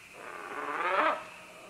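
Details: Green-winged macaws moving down along vines: one rasping, drawn-out screech that swells over about a second and then fades, with a faint low hum beneath it.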